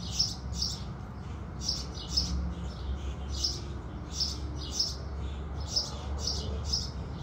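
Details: At sunrise, house sparrows chirp in a rapid, uneven string of short, sharp cheeps, some paired close together, with a low hum beneath.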